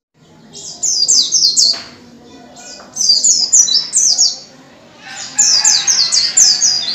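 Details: Wild-type white-eye song used as a lure to make white-eyes open their beaks and sing: rapid, high twittering bursts of sweet descending notes, three bursts within a few seconds.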